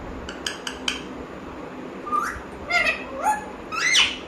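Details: Pet parrot talking: four sharp clicks in the first second, a pause, then several short harmonic, voice-like phrases that slide up and down in pitch, growing louder toward the end, indoors.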